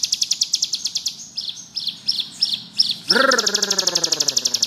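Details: Bar-winged prinia singing ngebrem for tutoring birds: high rapid trill, then several separate chirps, then the trill returns over a loud, low, descending harmonic whine.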